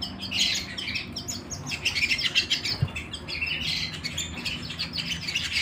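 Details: A canary singing inside the house: a bright, busy run of chirped and trilled notes, quick rising and falling slurs packed closely together, with one soft low thump midway.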